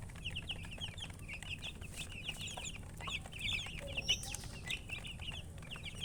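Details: Several young chickens give steady, high-pitched cheeping, short notes tumbling over one another almost continuously, with a low rumbling hum beneath.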